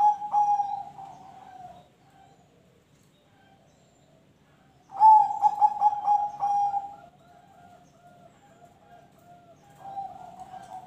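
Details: Perkutut, the zebra dove, singing in ring tulus style to coax other birds into song; mellow trilled cooing phrases ending in a drawn-out level coo, with a quiet gap between bursts.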